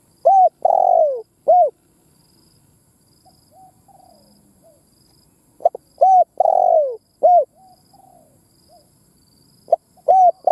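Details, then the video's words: Decoy spotted dove cooing to stir other doves into calling. Three phrases each join a brief note, a long burred coo that slides downward, and a clipped arched coo, separated by about four seconds of near silence with soft low murmurs. "Tiếng Chim Cu Mồi Đất Thúc gù gáy"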